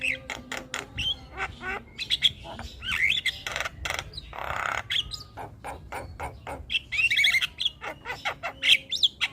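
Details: Energetic Javan myna song that reportedly stirs nearby birds into calling: dense run of dry clicks, grating squawks and brief whistled slurs, with a noisy rasping burst near the middle.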